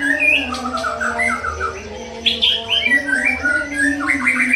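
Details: Young wild white-rumped shama from the forest delivering rapid chattering phrases and bright whistled notes that rise and fall, including a high squeaky burst midway and a rising trill at the end, over a steady low hum.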